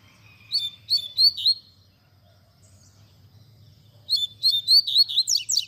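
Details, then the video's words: Double-collared seedeater singing in the tui tui zel zel style, a recording for teaching young birds to sing. Two quick phrases of bright, slurred whistled notes, each about a second long, separated by a silent gap. A faint low hum runs underneath. "Coleiro Tui Tui Zel Zel Cantando"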